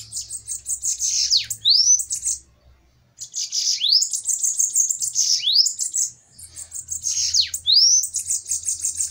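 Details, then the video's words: Bananaquits in a heated song duel: three long outbursts of high, wheezy, buzzing chatter, each studded with rising and falling whistled slurs and separated by brief silences. "DUELO DE SIBITES FOGOSOS!"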